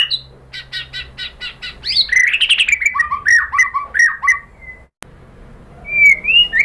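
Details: Murai batu, the White-rumped shama, in provoking lure song: a rapid burst of repeated metallic notes leads into loud tumbling warbled phrases, a short pause, then a rising whistled flourish.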